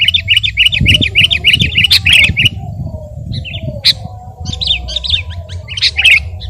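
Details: Sooty-headed bulbul singing eagerly, for training or luring other birds: a fast row of even, bright chirps, then scattered single notes and short bursts of chattering notes after a quieter gap.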